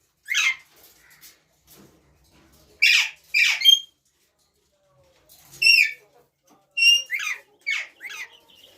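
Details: ['Ringneck parrot uttering sharp, scratchy squawks in spaced bursts, paired notes then a rapid cluster of shrill calls toward the end.']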